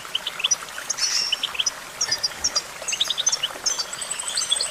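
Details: Goldfinch giving a sparser twitter, scattered high chirps and short squeaky phrases separated by small gaps, over soft background hiss.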